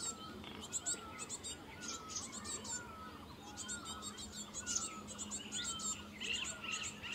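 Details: In Himachal Pradesh, a cinereous tit feeds its young amid high-pitched chirping clusters arriving every second or so, with thin descending whistled notes below and a constant low background hum.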